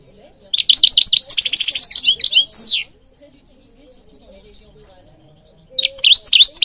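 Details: Goldfinch song for training birds: a burst of quick liquid twitters and a buzzy trill with upward-sliding notes, a pause of about three seconds, then fresh twittering resumes.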